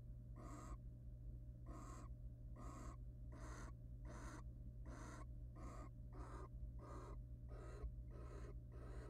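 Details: Wild barn owls in a nest box during courtship, with the male preening and mating with the female; a long run of coarse, rasping bursts comes at a fairly steady pace, about two every second, above a continuous low mains hum.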